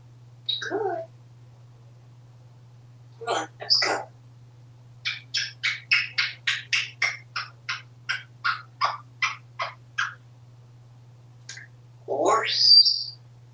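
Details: Happy, talkative male African Grey Parrot kept as a pet in a Texas home, fans running: scattered squawky notes, then a quick run of about fifteen evenly spaced clipped barks or clicks, ending in a rising whistled swoop.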